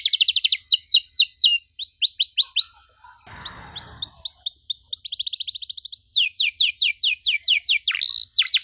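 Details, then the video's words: Canary in full gacor song, cengkok mewah style with long dor rolls, for young canaries to learn: alternating rapid trills and series of slurred whistled notes, broken midway by a short burst of noise. "KENARI GACOR DORR NEMBAK PANJANG, CENGKOK MEWAH COCOK BUAT KENARI MUDA BELAJAR BUNYI"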